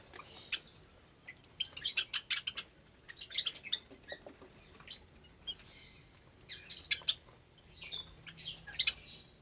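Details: Java sparrows in an aviary cage with many new chicks, Sunday morning, 8 May 2022. Irregular clusters of thin, high chirps and squeaky chatter from several birds, in bursts with brief quiet gaps.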